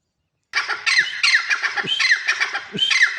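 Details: Grey francolin, locally called teetar, giving a loud, harsh, ringing call: strident notes repeated rapidly, about three per second, after a brief silence. The notes run on without pause to the end.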